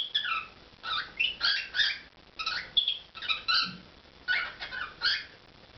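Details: Performing pet cockatiel indoors delivering rapid bursts of warbling, harmonic chirps and squeaks in uneven clusters, with short pauses between phrases.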